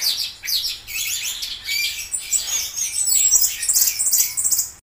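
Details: Orange-headed thrush pouring out an energetic, high-pitched medley of twittering notes, sharp whistles and short buzzy trills, growing busier toward the end before cutting off abruptly.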